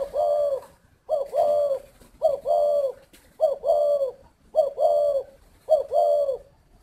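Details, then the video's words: Six evenly spaced coos from a spotted dove at a dove garden in Ba Vì, Hanoi, Vietnam, each a short pickup note joined to a longer soft mellow tone, steady about once per second. "chim cu thổ"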